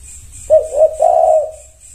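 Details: Zebra dove cooing meant to get a reply: a short note, a brief coo, then a longer level rolling coo fading out, with a faint hiss behind.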